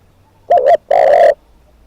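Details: A single phrase from a decoy spotted dove: a rapid wavering double coo, a brief pause, then one long, loud, steady coo.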